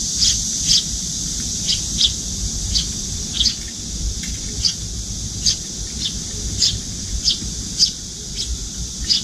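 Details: Eurasian tree sparrow fledgling, nearly adult-sized, follows its parent to a windowside feeding place and asks to be fed with open beak. Rapid series of high, clipped chirps, sometimes doubled, over a continuous high hiss.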